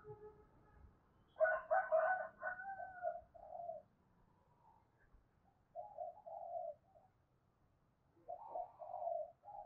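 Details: Spotted dove urging and calling coos, a fast cooing used to stir up decoy birds: a loud, harsh burst near the start, then two soft groups of low, hollow coo notes later, with background hiss.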